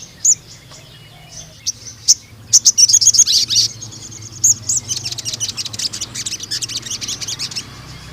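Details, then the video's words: Sooty-headed bulbul singing to tutor and lure young males, with scattered high chirps building into dense, rapid runs of sharp notes over a low background hum. "BURUNG SOGON GACOR NEMBAK PANJANG UNTUK PANCINGAN MASTERAN TROTOL JANTAN"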